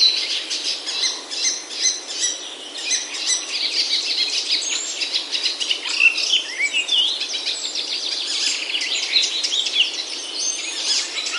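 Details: Chorus of forest birds among Himalayan oaks in Himachal, India: thick, chattering layers of high chirps and tweets with a few clear whistled slurs, steady and unbroken throughout.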